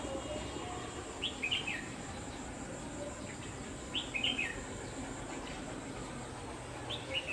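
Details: Late-afternoon trapping with a red-whiskered bulbul decoy, 29 November 2018: a short, clear, chirpy warbled phrase repeats three times, roughly every three seconds, over constant insect hum and hiss.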